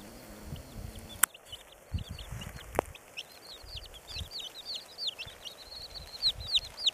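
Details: Red Silkie chicks cheeping in a busy high-pitched chorus of short chirps, with a couple of sharp clicks and low bumping noises early on before the peeping grows denser.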